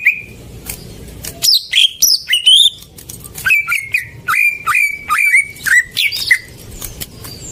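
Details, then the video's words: Greater green leafbird song used as a lure to start silent birds singing: loud sweeping whistles, then a series of clear slurred notes repeated about every half second. "Pancingan burung cucak ijo macet"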